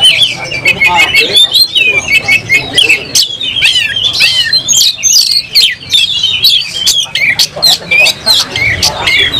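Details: Kacer, the oriental magpie-robin, in full song during a fight, tail spread. Dense, fast whistled phrases mixed with scratchy chatter and clicks pour out continuously, with a faint low rumble behind.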